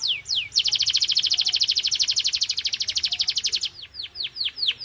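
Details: Canary singing at full power as a training stimulus for other canaries: a couple of falling whistled notes, then a long, loud, fast rolling trill lasting about three seconds, ending in slower descending sweeps.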